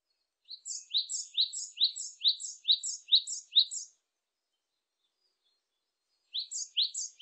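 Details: Japanese tit song: a fast run of about eight two-part notes, each high then dropping, delivered evenly. A second short burst begins after a two-second pause. No other sounds.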